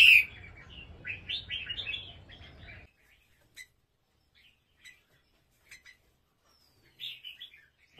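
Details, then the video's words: An Indo-crossbred competition red-whiskered bulbul gives a quick run of bright, warbling chirped phrases, then scattered short notes and a final brief burst, with a low indoor hum under the opening. "Chào mào indo lai gen đấu, bộ siêu đẹp, giọng songkon cực hay"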